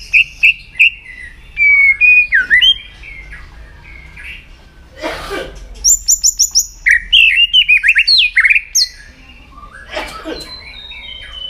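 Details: Caged white-rumped shama being trained to sing for contests: varied whistled phrases of sweeping notes, some rapid high buzzy trills, a burst of broadband noise midway, quiet background.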